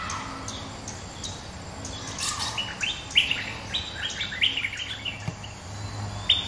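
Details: Territory-holding bulbul answers a rival with a spirited stream of bright, clipped chirps and short rising whistles, densest in the middle seconds, set against a low droning background.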